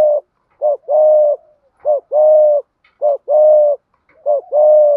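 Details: Spotted dove, Malaysian line, cooing in a measured thúc gù pattern. Steady, regularly spaced pairs of a short swelling note and a longer resonant coo repeat about once a second, low and hollow, in a quiet setting.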